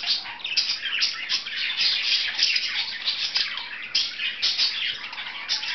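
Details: Two budgies playing indoors, producing lively high warbled chatter mixed with sharp chirps and squawks, rising and falling in loudness.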